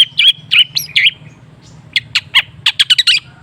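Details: Long-tailed shrike lure song for stimulating caged shrikes that have stopped singing: bright chirped notes in quick clusters, then a run of sharp, slurred, high chips at an irregular pace, with a low steady hum underneath.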